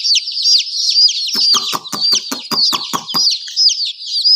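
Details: High descending peeps from chicken chicks run throughout, while a rapid string of about a dozen sharp knocking taps cuts through the middle.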